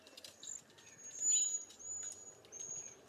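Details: Cedar Waxwing giving several thin, high, level whistled notes, each lasting under a second. A brief lower chirp sounds between them against a quiet background.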